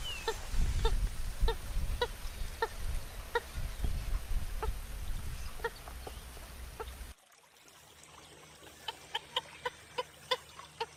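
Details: Purple gallinule giving short harmonic clucking notes in an irregular series, with a deep rumbling background that drops away after seven seconds, when quieter, sharper clucks continue.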